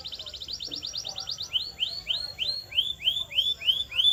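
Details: Canary training song played to make pet canaries sing: a rapid high trill, then a steady series of clear upswept whistles, about four per second.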